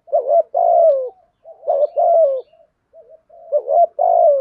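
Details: Spotted dove coos steadily in 'giọng thổ' style: three phrases, each a choppy lead-in and then a smooth, lengthy, falling coo, with soft low murmurs between phrases.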